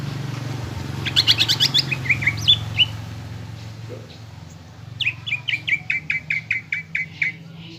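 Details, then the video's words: Greater green leafbird lure song to rouse caged birds to a fighter's mood: a fast trilled burst with scattered whistles, a pause, then an even series of about a dozen clipped whistled notes, against steady low rumble. "PANCINGAN CUCAK IJO GACOR AGAR EMOSI UNTUK MEMBENTUK MENTAL FIGHTER"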